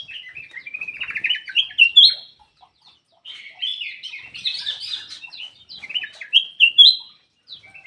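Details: Black-crested bulbul song used as a lure to get quiet birds to sing: lively phrases of clear, rising whistles and rapid chattering notes, delivered in two bursts separated by a short pause.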